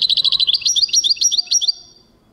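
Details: European goldfinch song from 2023, a quick run of bright, high chirps and liquid trills lasting under two seconds, then fading into near silence.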